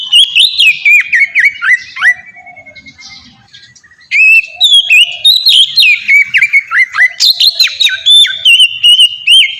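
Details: Melodious ngeplong song of an Oriental magpie-robin, played as a lure for young birds: fast varied whistles and chips, a quiet soft section around three seconds, then loud rolling whistled phrases resume to the end.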